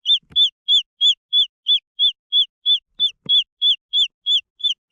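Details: Green junglefowl chicks giving a steady run of shrill, arched peeps at about three per second, clear and regular, with two soft low knocks behind them.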